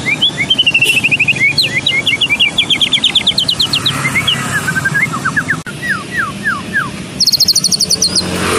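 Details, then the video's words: White-rumped shama of the Medan type singing a melodious song used as tutor song for competition birds. It gives rapid series of clear whistled notes, sliding and repeated, ending in very high fast trills, over steady background hiss. "Full Masteran Burung Murai Batu Medan Merdu"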